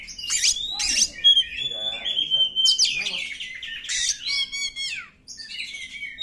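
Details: Oriental magpie-robin singing in the wild, its song used to prompt stuck caged birds to answer: sharp high chirps, a long level whistle, descending slurred notes and rapid trilled bursts, with a brief pause near the end.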